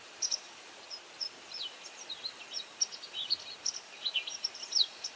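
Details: Insect-feeding white wagtail repeats thin, high chirping call notes, quieter at first and then busier, some notes sliding downward, over a noticeable background hiss.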